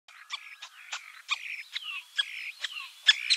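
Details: Common starling song: a jumble of sharp clicks, buzzy bursts and thin whistled slides, with notes stacked from low to very high pitch in quick, uneven succession.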